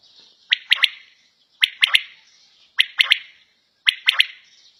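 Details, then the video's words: Quail calling in a home setting, four evenly spaced three-part phrases about a second apart, each a short sharp note leading into a tight pair of notes. "Battair Sound In Home"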